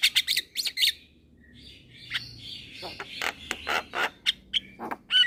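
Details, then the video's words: Javan myna, a young bird, sings while nodding its head: a burst of rapid chattering notes opens, then softer blurred warbling, building again into scattered harsh clicks and short whistles. "Burung Jalak Kebo Muda Gacor Manggut - Manggut"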